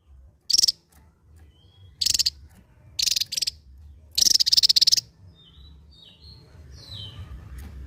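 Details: Javan white-eye, endemic to Java, delivering four harsh, buzzy drilling 'ngebren' bursts, the last one longer and rattling, followed by quiet faint thin whistles and low background hum.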